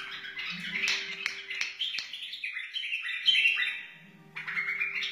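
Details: A wild white-eared bulbul sings bubbling, fluty phrases in quick succession, then a pause before another burst. The recording serves to teach chicks and motivate other bulbuls. A steady low tone runs underneath.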